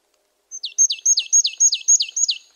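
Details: Marsh tit repeating a sharp, descending high note about eight times in fast, even rhythm over roughly two seconds, heard cleanly without background noise.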